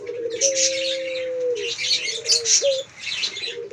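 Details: Male puter pelung dove at a bird farm calling steadily, giving one long level low coo of about one and a half seconds, then a shorter dipping phrase and a quick rising note. Dense high chirps and twitters from many other birds.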